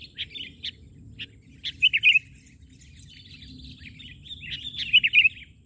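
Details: A sooty-headed bulbul in full song, delivered on the ground instead of a perch: a few sharp separate chirps, then rapid bubbling, warbled phrases, loud and close.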